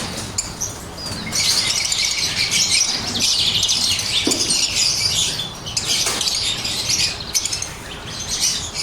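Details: Pet lovebirds of blue opaline and parblue opaline colour in Pakistan, quieter chirps at first, then a sustained, loud high-pitched chattering chorus with a few sharper squeaks.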